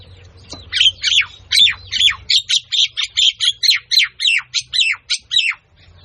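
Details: Myna calling in a village setting, a rapid run of about twenty sharp, downward-slurred squawky notes, each dropping steeply in pitch, delivered in quick regular succession with a faint low hum behind.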